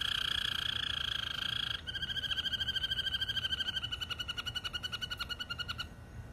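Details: Malinois canary song opening with a smooth, steady whistled tone, then shifting to a rapid, bubbling pulsed trill that keeps a similar pitch and fades out after about six seconds.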